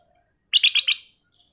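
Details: Black-crested bulbul, locally kutilang emas, in full song, used as a lure to draw other birds into singing: a quick phrase of four bright, clear notes in rapid succession, high-pitched and crisp, in quiet surroundings.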